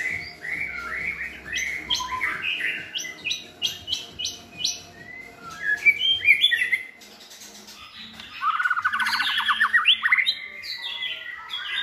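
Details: Several good-voiced white-rumped shamas sing to train a selected young shama to a varied song: quick whistled and buzzy phrases, chirps and trills, then a short pause and a rapid run of bright notes, over a low steady hum.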